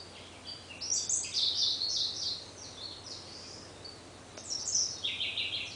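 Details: Siberian blue robin singing from a dark thicket at Munakata, Japan, in May 2013: two high, rapid rattling phrases a few seconds apart over steady background hiss.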